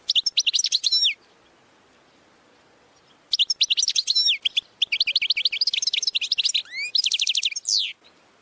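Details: Goldfinch training song: bursts of rapid twittering, tinkling high notes and quick trills, about a second long, separated by brief pauses, then a longer run of fast repeated notes ending in a rising sweep.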